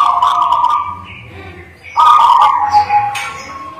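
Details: Local zebra dove in full song: a steady coo held for about a second, a quieter pause, then another strong coo phrase, with faint crackling noise above.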